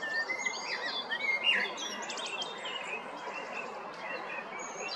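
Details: Male blackbird in Zagreb, Croatia, spring 2022 (Jarun or Prečko): a short, low, rich warble in mid-phrase, with thin high chirps from other birds throughout and constant background noise.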